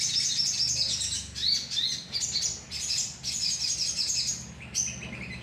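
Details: Colony of sogon birds used as a lure recording; dense, high-pitched chirping and twittering from many birds at once, in overlapping bursts with short dips between them, and a faint low hum underneath.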